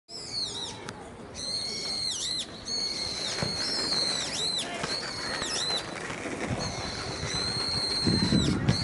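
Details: A single Brown-eared Bulbul sings loudly, beak open, on a metasequoia branch in a park, 9 April 2020 at 17:36: loud, shrill, squealing whistles, some drawn out, others bending down and up, in quick bursts over a low rustle and rumble.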